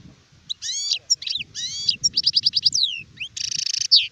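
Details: Adult European goldfinch, described as a sharef, recorded in 2019, delivering a loud, fast song of twittering notes, rapid repeated chips, sweeping whistles and a harsh buzzy burst, with faint low murmur underneath.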